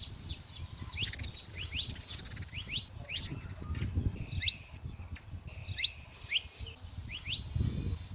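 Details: Free wild saffron finches: a lively flock chorus of high, fast, upward-slurred chirps, with two sharp loud notes in the middle and steadier chattering afterwards. A low rumble sits underneath throughout.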